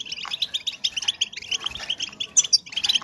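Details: Female European goldfinch calling to excite males into breeding: a quick tinkling twitter of tightly spaced high chirps, ending with a few sharper, piercing notes near the close.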